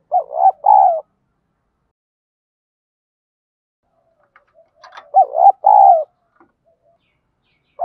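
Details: Spotted dove in a deep 'giọng đồng' voice, played as a lure to spur fighting: a rapid two-part coo and a long falling coo, then several seconds of silence before the phrase repeats.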